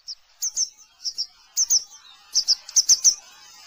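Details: Grey wagtail calling: sharp high double and triple chirps, thin and metallic, given in short clusters of two or three notes every half second or so.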